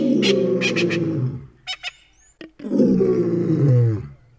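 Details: Egyptian geese, a pair feeding in the shallows at Sable Dam near Phalaborwa Gate, Kruger National Park: two long, harsh, rasping honking bursts, each about a second and a half, separated by a few short clicks.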